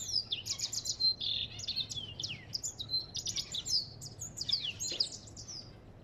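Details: Dense chattering song of an African goldfinch, made of clusters of buzzy trills and quick slurred whistles repeated almost without pause for six seconds.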